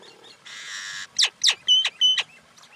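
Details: Common myna calling: a short harsh buzzy burst, then four quick sharp downward-sweeping notes, the last two with bright steady whistled tones, all loud and close with little else around.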